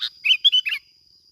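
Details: Plain-backed sparrow from Bình Thuận, Vietnam, recorded as a lure bird: a buzzy burst, then a quick phrase of three chirpy, slightly slurred notes. A thin steady high tone runs through the background.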